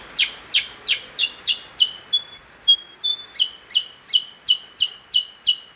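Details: Percang bird singing actively: a fast series of sharp, high chirps repeated about three times a second, briefly switching to thin pure whistled notes midway before the chirping resumes, over a quiet background.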